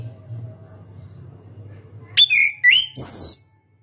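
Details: A champion orange-headed thrush from Indonesian song contests gives sharp clicks and short whistled phrases, then a high ringing note, after a couple of seconds of faint hum and a soft whistle.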